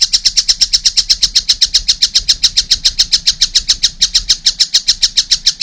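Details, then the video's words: Young collared kingfisher giving a continuous chain of harsh, high notes, roughly three or four each second, with a low background hum. "wow masih kecil udah gacor , anakan burung tengkek buto"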